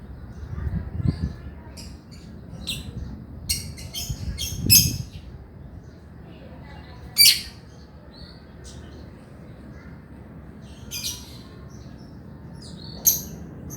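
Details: Chattering male lovebird, recorded to coax quiet birds into singing. Scattered thin, high chirps and short squeaks sound between long pauses, over a low rumbling background.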